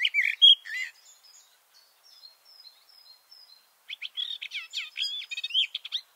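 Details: Garden warbler singing from cover, recorded from a hide below the bush: a burst of warbling, a pause filled with soft thin high notes, then a renewed quick chattering warble.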